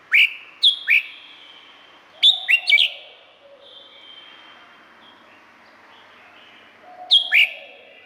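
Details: Red-whiskered bulbul in Thailand sings three quick bubbly whistled phrases, each of two to four clear slurred notes, separated by pauses of a few seconds with faint ringing echoes between them.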